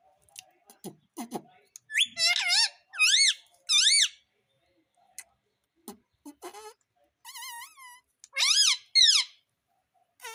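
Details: Pet talking parrot indoors imitating the word "mummy": squeaky, whistled notes that bend up and down in short bursts, some in quick clusters, with brief gaps of silence between phrases.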